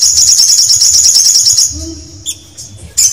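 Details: Canary delivering a sustained high rapid trill for nearly two seconds, then going quiet apart from a soft low tone and a thin whistle, before a fresh burst starts.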